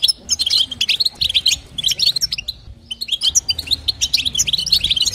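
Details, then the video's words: Female European goldfinch calling to stimulate a male, a 'batbata' and 'sitsita' style: quick bursts of high, tinkling twitters with a short pause near the middle, then renewed rapid chatter. "نداء انثى الحسون لتحفيز طائر الحسون | بتبتة وستسته جديده"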